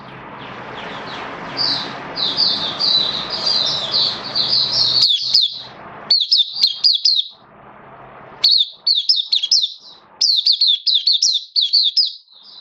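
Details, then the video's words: Oriental white-eye of the bird hobby giving open buka song, its form a little dipped: long twittering run of high, rapid notes, then several bursts of tightly packed chirps separated by short pauses. "Mata Puteh Kitaro Buka Sing"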